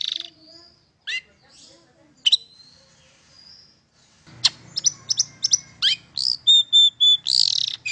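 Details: Long-tailed shrike song intended to start silent shrikes singing: a few scattered high, sliding notes with quiet gaps, then quick, piercing chirps and steady whistled tones, over a low hum in the second half.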